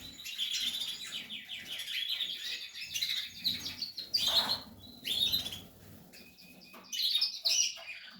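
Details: Portuguese harlequin canary chicks in the nest with steady high twittering, broken by louder harsh chirp bursts every second or two.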